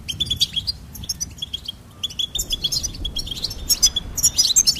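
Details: Goldfinch twittering in quick bursts of high, bright chirps and trills, short notes repeated rapidly with brief pauses, over a faint low rumble.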